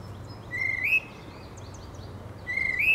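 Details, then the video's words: A wild male tufted titmouse calls in spring: two clear whistles about two seconds apart. Each holds a steady pitch, then lifts into a brief rising slur. Soft, scattered chirps from other small birds fill the gaps. "Tufted Titmouse spring call"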